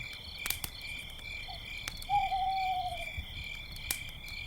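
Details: By a campfire at night, an owl sounds a single sustained, gently descending whistle lasting about a second, after a brief soft note; dense cricket chirps and occasional wood crackles fill the background.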